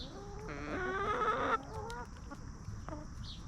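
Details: Free-range hens roaming and feeding peacefully on a backyard farm; a drawn-out harmonic clucking phrase of rapid pulses lasting about a second, then a few softer clucks, with a faint high chirp at the end.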